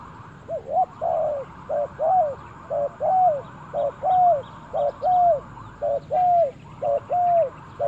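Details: Spotted dove in a forest cooing rhythmically, about a phrase per second: short doubled note then a longer falling coo, repeated around ten times over a steady buzzing hum and faint high chirps.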